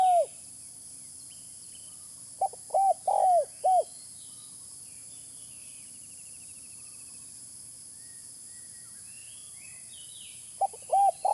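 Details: Spotted dove cooing, used as a lure: one phrase ending at the start, a full phrase of a short note and three rounded, low coos midway, and another beginning at the end, with long quiet stretches of faint high chirps and hiss.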